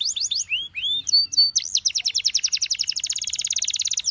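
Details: Canary song: a few quick down-slurred notes and two swooping whistles, then a sustained level whistle, moving into a long, rapid, even trill that speeds up toward the end.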